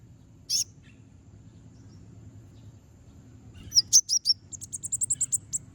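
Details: Konin song used to lure and excite other konin: a single high chirp, a pause, then a quickening stream of shrill, clipped notes fading toward the end.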